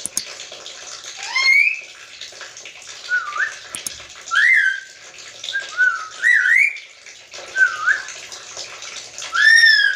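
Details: Black-capped lory mimicking human speech: loud whistled and squawked phrases, rising and falling slurs, several separate bursts with short pauses between them.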